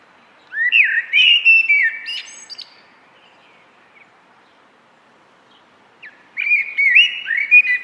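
A common blackbird sings two mellow, fluting warbled phrases, each ending in a thin, squeaky twitter, with a pause of about four seconds between them; nothing else intrudes.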